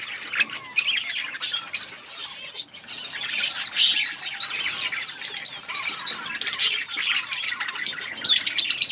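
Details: Flock of budgerigars feeding together in a colony, giving a constant overlapping stream of sharp, high twittering chirps and rapid chatter with no pause throughout.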